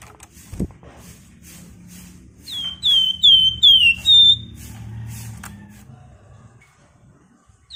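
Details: Loud flamboyan bird giving rapid 'nyerecet' style song: a burst of five sharp downward-slurred whistles in about two seconds, over a steady low droning background with a click at the start.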